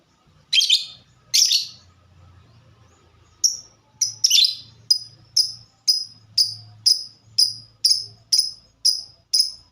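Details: Lovebird, a fighter, delivering 'ngetik' (typing) song: two broad harsh chirps, a pause, then a steady run of quick clicking notes, about two per second, like keystrokes.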